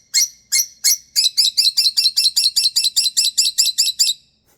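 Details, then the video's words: Pet lovebird, female, throwing a bedtime temper tantrum as she wants to go to bed: loud, harsh, high-pitched squawking chirps, three spaced calls then a rapid steady series of about fifteen, roughly three per second, in a quiet room. "Bedtime Love Bird Temper Tantrum"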